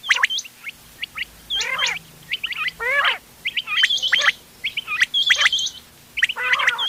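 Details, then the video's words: Quail calls in a hunting mix from 31 October 2025. Scattered sharp rising whistles mix with twangy, downward-stepping stacked notes and several dense, scratchy bursts over a faint hiss. "بٹیروں کی مکس آواز quail bird sounds for hunting bater ki awaaz"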